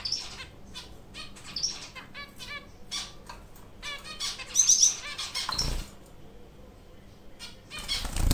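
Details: A pair of white English zebra finches building a nest with burlap fibres give quick, high, nasal chirps and beeps in irregular bursts, with fluttering wings, soft rustling and a couple of dull thumps.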